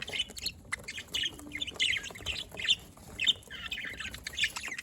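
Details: Pet budgerigars recorded on 27 October 2023, giving quick bursts of high, scratchy chirps and warbles that come in short clusters about every half second, with light background hiss.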